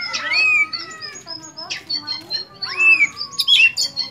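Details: Oriental magpie-robin singing; rising squeaky whistles and scratchy bursts over a low, drawn-out wavering tone.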